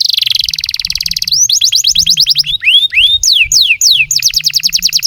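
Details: Canary song meant to prompt and tutor young or silent canaries: a buzzy rapid trill, then quick repeated descending notes, a few slower rising and falling slurred whistles, and another fast trill, with a faint low hum beneath.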